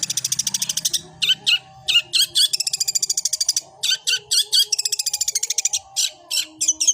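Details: Long-tailed shrike (cendet) in gereja-style fighting song: rapid stuttering buzzy notes in quick runs, broken by louder grouped bursts, with a faint low hum in the background.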